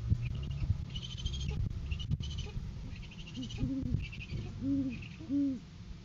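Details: Great horned owls at a farm live cam in courting season, January 7, 2023, as the male brings a food gift to the female. A run of low, arched hoots builds near the end over a steady low rumble, with faint higher chirping sounds above.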